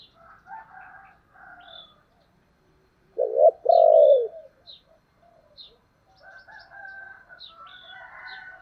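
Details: Spotted dove in the 'giọng thổ' voice giving urging calls: muffled raspy notes, one loud, throaty, broken coo with a sustained tail, then more soft chatter, with scattered high chirps from small birds.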